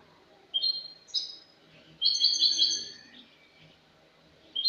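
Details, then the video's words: Spanish-type European goldfinch bird from last year singing in clean 'cante limpio' style, recorded 22 August 2018: short bright twittering phrases with a denser tinkling burst in the middle, separated by pauses, over faint low background hum. "jilguero español cante limpio"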